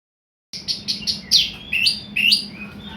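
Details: Orange-headed thrush (anis merah) song in the teler lure style, used to provoke other birds into singing. After a silent start come quick high chirped notes, then louder slurred notes that dip and rise in a rapid, uneven series.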